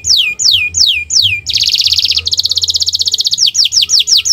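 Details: Canary 'owor-owor uhuii' song used as training material to lure birds into singing: loud descending whistled sweeps, then a long fast buzzy trill, then more falling sweeps in quick succession.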